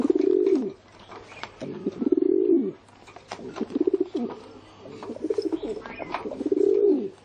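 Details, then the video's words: Deep, rolling pigeon coos repeated about every one and a half seconds, each a pulsing low hum that falls away at its close, with light clicks and rustling between them. "เสียง นกพิราบ"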